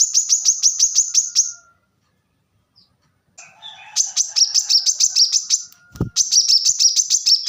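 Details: Plain-throated sunbird master song: quick series of high, piercing chirps, a silent break with soft rustling, then a dense rattling trill resumes, with one low thump in the middle.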